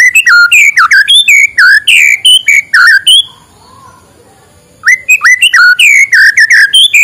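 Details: Dense morning song of a white-rumped shama, used to trigger song in reluctant birds: loud, varied whistles and chattering notes pour out continuously, break for about a second and a half, then resume just as rich and rapid.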